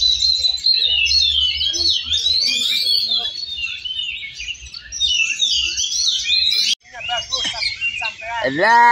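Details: Kacer (Oriental magpie-robins) competing in a songbird contest class, Cilegon, 5 December 2023. Overlapping high, warbled and trilled phrases pour out continuously, with sweeping whistles, a brief break, then a man's voice speaking over the birds near the end.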